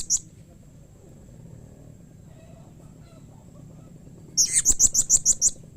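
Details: A single thin high note, a long quiet gap, then a rapid string of about eight shrill chips from a blue-crowned hanging parrot, a call said to prompt other hanging parrots to answer.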